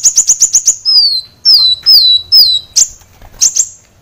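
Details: Training recording of a kolibri wulung, or brown-throated sunbird, for cage birds. A rapid string of sharp ticking chips gives way to loud, high, falling whistles, then a few crisp upswept notes.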